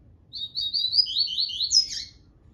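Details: One Tui Tui phrase from a double-collared seedeater: rapid high twittering notes that drop step by step, then a shrill upswept whistle with a buzzy tail, against a soft low rumble.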